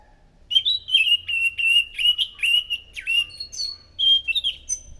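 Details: Scaly thrush singing loudly as a lure for other thrushes: a five-second stream of fluty warbled whistles, mostly level with small dips, ending in higher, sharper notes, over faint low background hum.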